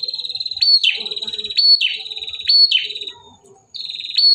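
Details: Male bar-winged prinia singing: a fast ticking series of high sharp notes broken every second by a louder upslurred whistled note with a buzzy tail, with faint low background noises.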